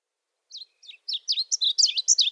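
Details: A varied bunting sings a short, high warble of sweet, whistled phrases: two soft notes, then a quick, slurred tumble over about two seconds; a species of arid southwestern borderlands and Mexican thornscrub.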